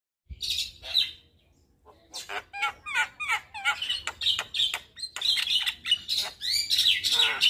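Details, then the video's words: Javan myna song used as tutor and lure recording to prompt other birds into lively singing: after a brief sharp note, a rapid, busy run of harsh chattering bursts mixed with short whistled slurs, closely spaced and irregular. "Masteran Dan pancingan Jalak Kebo Bahan Di Jamin Cepat Gacor Manggut Manggut"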